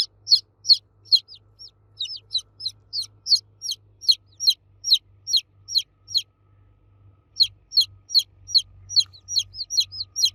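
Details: Chicks cheeping loudly for the mother hen, shrill falling peeps in quick succession, a short pause near the middle, then resuming in overlapping bursts over a soft low hum.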